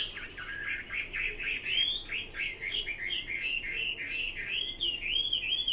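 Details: Chinese hwamei in full song, slightly more distant: rapid rolling warbles and looping whistled notes, repeated in short bursts, with thin higher whistles added in the later part.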